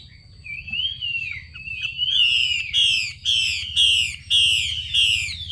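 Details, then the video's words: Female Chinese hwamei calling to stimulate males to sing: a long wavering whistle slides downward, then loud downslurred whistled notes repeat about twice a second, over a steady low hum. "Tiếng chim mi mái xùy kích trống"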